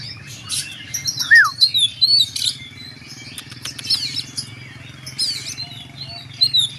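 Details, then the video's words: Oriental magpie-robin singing in the tembakan, or shooting, style: scattered high whistled notes, a few sharp rising and falling sweeps and short chirp bursts separated by gaps, over a steady low background hum. "Kacer tembakan mewah"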